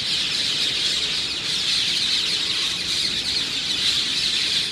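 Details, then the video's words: Thousands of parakeets roosting by Ramsgate railway station, Isle of Thanet, in early morning: a dense, unbroken din of screeching, harsh and high-pitched, with no single caller standing out. "Noisy Parakeets"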